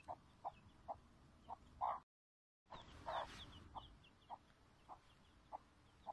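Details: A chick calls with short, low clucking notes repeated about twice a second, with faint higher peeps between them and a brief dropout midway.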